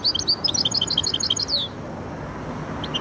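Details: Goldfinch × canary hybrid singing a fast twittering phrase of bright, high chirped notes for about a second and a half, then a pause before a couple of fresh notes start again.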